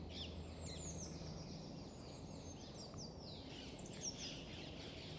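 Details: Rose-ringed parakeets, introduced to and now widespread in Île-de-France, heard during a sunny forest walk, giving harsh, high, falling screeches in quick overlapping bursts over a steady low rumble of background noise.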